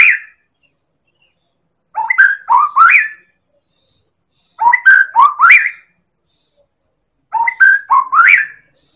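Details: Singing Medan white-rumped shama, used to spur other birds to sing: three matching phrases about three seconds apart, each a quick set of rich, rising whistles, on a clean, silent background.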